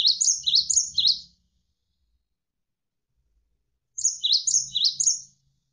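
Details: Javan sparrow (gelatik wingko) in a songbird training recording: two short bursts of about four fast, high, swooping chirps each, a few seconds apart, over a soft low rumble.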